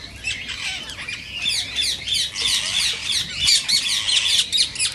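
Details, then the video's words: Rose-ringed parakeets, whose calls are said to encourage mating, produce a dense chorus of overlapping harsh shrieks and squawks, several birds at once, with no clear gaps. "صوت ببغاء الدرة الخضراء"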